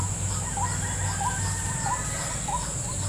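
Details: White-breasted waterhen called in with a lure at a trap in a salak fruit garden: short hooked notes repeated roughly every half second over a constant shrill insect whine and low background rumble.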